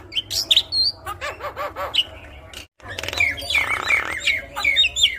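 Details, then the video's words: Javan myna singing at full intensity with a varied repertoire, used to prompt other mynas to sing: sharp whistled upslurs and downslurs mixed with harsh chattering squawks and rasping bursts, then a brief silent gap and a run of quick bright notes. "Kicauan Jalak Gacor - Jalak Kebo Gacor Full Isian Untuk Pancingan Jalak Gacor"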